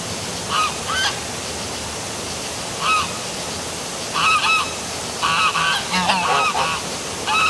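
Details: Nighttime geese at the Milford, Connecticut waterfall by City Hall, honking sparsely at first, then in a busier overlapping chorus of harsh calls toward the end, over a constant roar of water.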